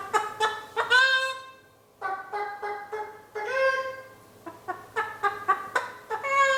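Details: One-year-old male eclectus parrot kept indoors, mimicking a hen. Choppy harmonic clucks come in short bursts, with one long sliding squawk near the start. Steady clucking follows, with faint background hum.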